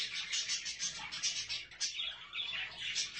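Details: Budgerigars alongside their chicks utter bright, very high chirping and twittering in quick pulses, with a short gap partway through before the chatter continues.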